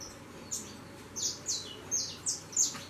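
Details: Saffron finch fledglings leaving the nest and flying: six high, thin chirps, each sliding downward, spaced roughly half a second apart over a low steady background hum.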